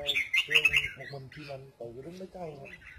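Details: Red-whiskered bulbul singing in the double-voice style (giọng kép): a loud burst of bright, warbled notes in the first second, then low harmonic music with voices.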